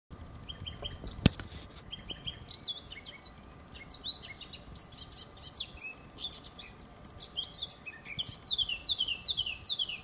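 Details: A Eurasian blackcap singing in a garden on 7 June 2015, a quiet scratchy warble building into loud, clear fluting phrases of slurred, falling whistles near the end, with one sharp click early on.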